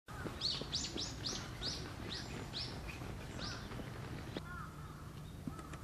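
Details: Female red-flanked bluetail holding a solitary non-breeding season territory; a quick run of about eight short, high, downslurred notes over three and a half seconds, then quiet with low background hum.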